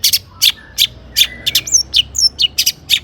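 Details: Long-tailed shrike (cendet) song used as a lure to get other shrikes singing: sharp, harsh chirps at high pitch repeated about every third of a second, with a few thin whistled upward slurs between them.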